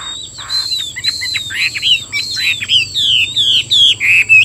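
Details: Chinese hwamei in captivity in Vietnam singing repeated downslurred whistles, roughly three or four a second, growing louder toward the end, with a thin steady electronic whine behind.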